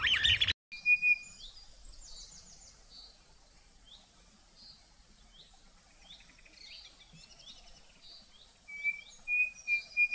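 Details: Brazilian Cerrado birds: a loud burst at the start, then faint high chirps and trills from distant birds, ending with a series of clear, even whistled notes.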